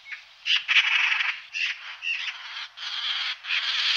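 A duck gives a run of harsh, raspy quacks, six or seven uneven bursts in quick succession with little pause between them.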